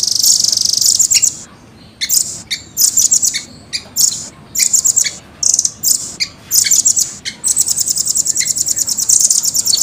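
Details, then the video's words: Velvet-fronted nuthatch (rambatan), red-billed with blue-grey upperparts, singing clear and fast in a long rolling style. Piercing high trills come in short bursts about every second, then build into a sustained, rapidly pulsing roll. "Rambatan gacor jernih,speed rapat ngeroll panjang"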